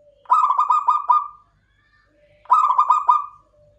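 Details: Local zebra dove, called klowongan, repeating its song twice: each phrase is a quick run of about five bubbling, pulsed coos ending in a drawn-out trailing note. A soft, low, steady tone fills the gaps.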